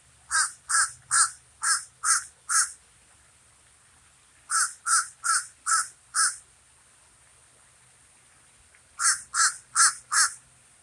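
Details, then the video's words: Common raven uttering three bursts of harsh, rapid croaking calls, about five or six notes per burst, separated by short silences. "Raven says never more"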